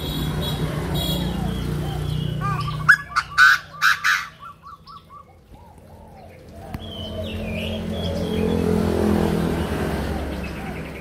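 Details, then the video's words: Chinese francolin crowing: a burst of loud, harsh notes, then a quick run of softer, falling notes, with a steady low rumble like distant traffic throughout. "tiếng chim đa đa gáy"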